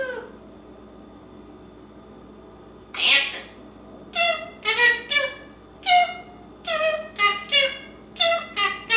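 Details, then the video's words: African Grey Parrot perched on a kitchen drawer, talking indoors: silence, then a burst of harmonic, voice-like syllables in quick chopped phrases with whistled tones, mimicking speech about animal sounds and food. "Einstein parrot: Master of mass feathered communication!"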